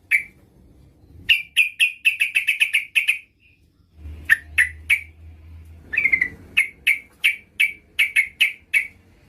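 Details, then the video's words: Female yellow-vented bulbul calling a male, with long series of sharp, bright chip notes delivered in quick bursts, brief pauses between runs, and a low droning hum in the middle. "trucukan betina memanggil jantan agar bunyi"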